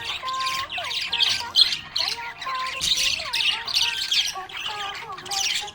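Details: Cheerful budgie chirps: harsh, buzzy squawks and rapid twitters in quick bursts, about two and a half per second, with bending tonal sounds in the background.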